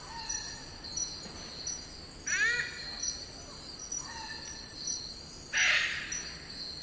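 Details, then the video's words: Wild eclectus parrots in Australian rainforest at Cape York: a ringing, harmonic call, then a loud harsh screech near the end, with softer notes earlier and a continuous insect drone throughout. "Eclectus Parrot Sounds & Calls"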